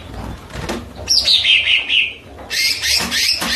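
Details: Cucak ijo pouring out a descending ripple of bright warbled whistles, then a loud, dense burst of high scratchy twittering.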